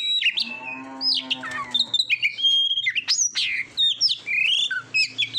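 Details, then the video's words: Masteran recording of Oriental magpie-robin for training contest birds: opens with a harsh buzzy note, then loud varied whistles, sharp high slurs and chirps in quick, uneven bursts. "SUARA KICAUAN BURUNG KACER TERBAIK"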